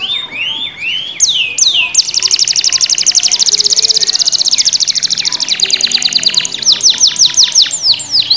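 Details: Black-red canary in lively song: curved upswept whistles open into a long, dense, rapid high trill, then a slower run of separate falling notes near the end.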